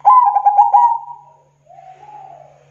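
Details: Zebra dove singing, recorded as a lure for wild local birds: one full rolling coo with fast pulsing beats fading into a long soft tail, followed by a quieter, lower trailing coo.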